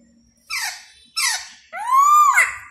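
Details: A laughingthrush in full form while dancing gives two short harsh squeaky notes followed by a loud, arched whistled note.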